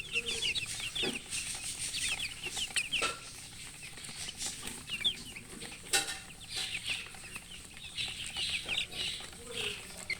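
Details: Colored chickens give a continuous chorus of thin, high chirps, many birds peeping at once without pause, over rustling and occasional sharp taps and knocks.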